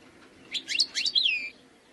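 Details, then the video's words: Wild European goldfinch giving a short cluster of high chirps followed by a descending slurred whistle, lasting about one second, with faint background hiss. "chant chardonneret sauvage khalwi حسون goldfinch jilguero تغريد مقنين خلوي"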